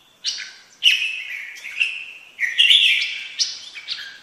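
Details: Red-whiskered bulbul song: loud, clear whistled phrases with slurred, rising and falling notes, several bursts in quick succession, one sustained rich phrase in the middle.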